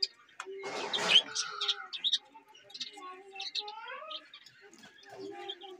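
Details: Budgerigar chatter: a burst of harsh, noisy chirping, then softer warbled notes that slide up and down, with short pauses between phrases.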